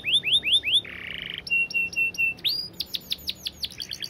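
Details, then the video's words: Canary in a varied, clear training song: repeated rising whistles, a buzzy trill, flat piping tones, then loud falling sweeps and a fast pulsed ending. "Masteran Kenari Gacor Speed Rapat‼️Durasi panjang dan jernih"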